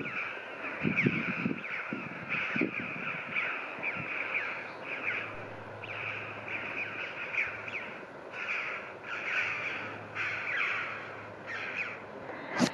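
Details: A flock of red-billed choughs flying in Jersey in July 2019, after a successful breeding season, give repeated harsh, ringing 'chee-ow' calls, several birds overlapping, with a low steady hum and thumping wind.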